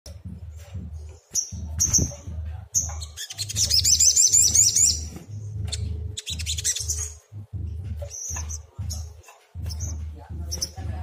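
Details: Agitated sogon sunbird used as a lure to make other sogon answer: high, sharp chirps and a fast, dense twittering trill in the middle, separated by brief pauses, over a constant low hum.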